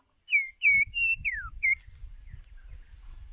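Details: White-rumped shama lure bird singing for voice training: a run of loud clear whistled notes, some level and one sliding steeply down, then fainter softer notes over a low rumbling background.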